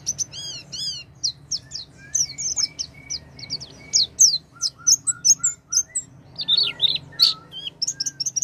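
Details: Oriental white-eye song meant to make a silent white-eye sing: an opening of quick wavering trills, then a busy mix of high chirps, slurs and some lower whistled notes, lively and varied throughout.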